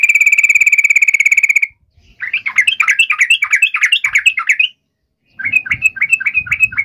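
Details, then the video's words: Lure recording of a yellow-vented bulbul meant to draw a rival into answering: a steady buzzy trill opens, then a lively string of varied, bubbly, up-and-down warbled notes, a short pause, and a final run of quick repeated phrases. "trucukan gacor MEMANGGIL LAWAN ampuh JADIKAN burung trucuk gacor NYAUT SEKETIKA"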